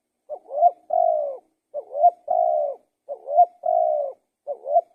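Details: Spotted dove cooing in a regular rhythm. Four phrases, each a short bent note leading into a long smooth coo; the last phrase is cut off.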